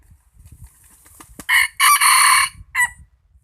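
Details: Cockerel gives one full crow after some faint low background noise: a short first note, a sustained bright harmonic middle section, and a short dropping end note.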